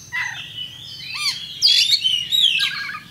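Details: Oriental magpie-robin (kacer) singing an aggressive fighting song: short clusters of high whistles, a downward-curving note and harsh buzzy chirps, louder in the final second and a half, over a low background hum.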